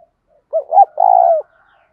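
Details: A single phrase from a decoy spotted dove calling to provoke a fight: a short rising note, a second brief note, then a longer, slightly trembling coo that falls away at the end.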